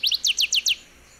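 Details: Northern Waterthrush (Parkesia noveboracensis), a 15 cm migrant at Sonso Lagoon near Buga, Colombia, gives a song fragment of six loud, high, sharply downslurred notes, several in quick pairs, all within under a second, with no other sounds.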